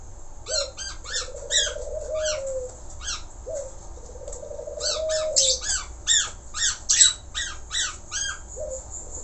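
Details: Budgerigar chattering busily with bursts of harsh, buzzy stacked notes repeated in quick clusters, mixed with lower drawn-out grating warbles, over a constant high-pitched whine.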